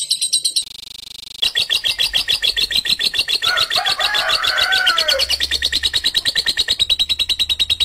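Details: Lovebird in long, harsh ngekek chatter. Rapid, steady rasping pulses run for several seconds after a brief broken start, with a fainter lower warbling sound partway through.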